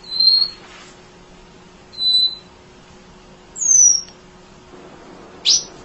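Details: Munia singing tirelessly, recorded as tutor song for training other songbirds: thin, very high whistled notes, each sliding downward, spaced about one and a half to two seconds apart over a quiet hum.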